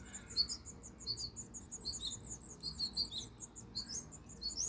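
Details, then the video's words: High-pitched, rapid, squeaky chirping from house finch babies being fed in Michigan, overlapping notes running almost without pause. "Purple House Finches feeding babies"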